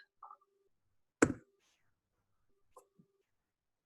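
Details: Indoor room tone with a few brief, muffled voice fragments and one sharp click-like burst, then silence.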